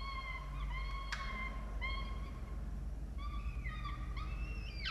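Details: Peregrine falcon chicks at their nest during a feeding in Orange, Australia, on 18 October 2022, with two adults and two young on a nest camera; drawn-out, high, harmonic whining calls, some bending upward, repeated in short series over a low steady hum.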